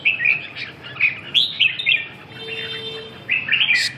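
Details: A red-whiskered bulbul gives quick, bright whistled phrases of looping, slurred notes, then pauses briefly before another burst.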